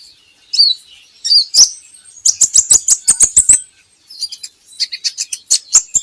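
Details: Purple-throated sunbird singing, played as a training recording to bring birds into song: thin high twitters, then a fast run of sharp repeated clicking chips, followed by more squeaky twittering.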